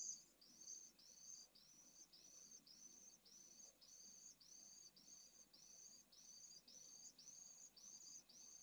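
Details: Pallid swift at a nesting colony in Jerez de la Frontera, Spain, in heat above 45°C, where a lone chick begged for food before being thrown from a nest: high, thin, hooked shrieks about twice a second over faint low hum.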